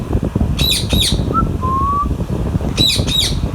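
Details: Alexandrine parakeet eating mango alongside a Ringneck parrot; two pairs of harsh, raspy squawks about two seconds apart, with short clear whistled notes between them over steady low background rumble.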